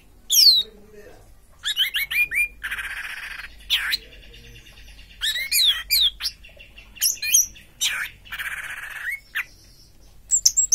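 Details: A good-bodied orange-headed thrush singing teler: sharp high slurs and dense buzzy squawking bursts, repeated in bouts with brief quiet gaps.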